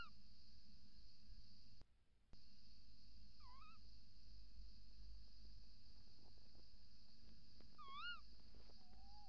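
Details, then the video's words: Little owls at a nest box on 28 December 2018 before dawn, female calling at the entrance hole and male outside: two wavy rising mewing calls several seconds apart, a fainter lower call at the end, a brief dropout, and a steady whine. "Bosuil, V roept in vlieggat/op de cam, M roept buiten"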